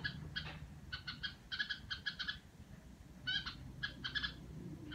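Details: Home-kept red-whiskered bulbul giving "rò" chatter, irregular clusters of short buzzy notes with gaps, one louder slurred burst midway, over a low rumble.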